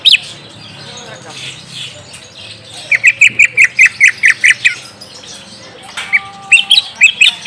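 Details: Lure song of a green leafbird, played so a young untrained bird answers: after a quiet start, a quick string of about ten sharp chirped notes, a pause, then a few more high twittering notes.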